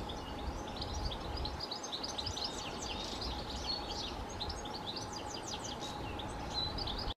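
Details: European robin singing at the top of Pennsylvania Castle Wood, Portland: thin, high, quick twittering and wavering notes in continuous phrases, set against steady background noise with a constant low hum.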